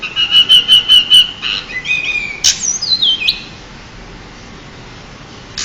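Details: A champion pied bushchat, used as a tutor for young songbirds, opens with five evenly spaced chirps, then a buzzy note, a sharp click and a falling stepped whistle before silence.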